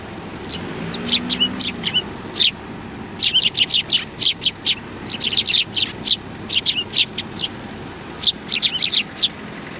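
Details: Tree sparrows, a flock coming to be fed at a Tenmangu shrine in Japan on 16 January 2020, give rapid bright chirps, many short overlapping notes in bursts across ten seconds, with a faint low hum beneath.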